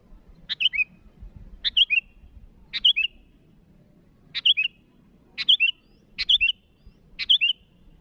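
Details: Sooty-headed bulbul calling out rivals, giving seven crisp, bubbly three-note phrases roughly once a second, each a quick sharp note then two gliding, liquid notes, over a quiet low hum.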